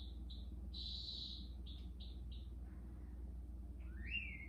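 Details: Newly arrived green-backed twinspots, sub-Saharan African finches, singing in a quarantine aviary: a few soft, clear whistled notes and a longer sustained whistle, then a rising slurred whistle near the end, over steady low hum.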